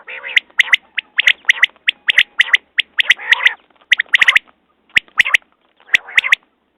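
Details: Quail calling: sharp, clipped notes near the upper-middle range repeated about once a second, often in quick groups, interleaved with harsher, broader rasping bursts of half a second; no other sounds stand out.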